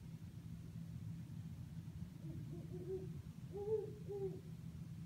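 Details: Great horned owl in eucalyptus trees at Sherman Island, California, giving a short series of low, muffled hoots that end in two louder, fuller hoots, with a constant deep background hum.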